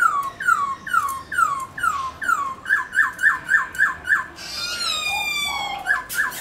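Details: White-browed laughingthrush singing. Loud whistled notes slide downward and repeat about every half second, then shift to quicker upturned notes. A harsh, buzzy passage with high overtones follows before the whistles return.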